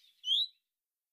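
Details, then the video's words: A common redstart gives its call: one short, clear whistled note that slides quickly upward, a soft rising 'fuid' or 'hweet', with silence after it. "Rufe: Gartenrotschwanz"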